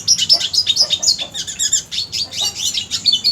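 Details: Red siskin; song; tutoring contest birds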